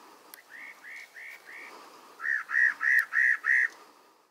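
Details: Spot-breasted parrotbill calling: a series of nine short, even, slightly arched whistled notes, four softer ones followed by five louder ones, repeated about three per second over quiet background hiss.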